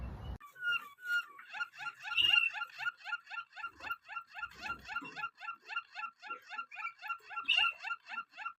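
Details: Russian canary delivering a long, even trill of quick repeated chopped notes, about three per second, with brief louder accents and faint room noise.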